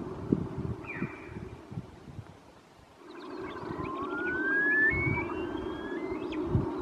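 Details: A male Caspian snowcock gives loud whistled notes that climb in steps, rising higher over a few seconds, after one short falling whistle, over a steady rushing background.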